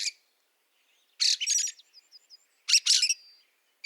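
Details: Fieldfare calling in snow at Liepāja, Latvia, in March 2023: loud grating chack-chack bursts roughly every one and a half seconds, separated by a few soft, thin chirps.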